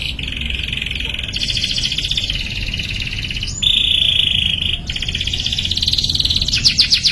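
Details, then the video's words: Young canary practising its song, sustaining long high buzzy trills that shift pitch between sections, with a brief pure whistled rolling phrase in the middle and faster sweeping notes at the end. "KENARI PAUD BELAJAR BUNYI JADI GACOR | CANARY SINGING"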